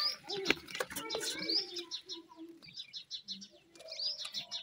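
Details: Francolin chicks, described as Irani teetar, at feeding time: thin high chirps, several in a quick series around the middle, with scattered clicks and low murmuring in the background.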